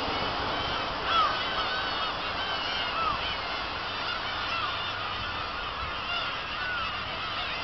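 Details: On Kabushima after fireworks, 2 August 2012, a black-tailed gull colony keeps up a steady murmur of mewing calls, with a few clearer downslurred cries standing out near the start and middle.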